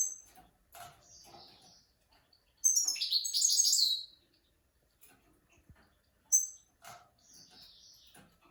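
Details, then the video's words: Training song for mules and young goldfinches, a goldfinch giving scattered high chirps and a thin buzzy note before one loud rapid twittering burst, then more soft chirps. "Master switty bird 2021 ! Great for teaching mules and young goldfinches !!"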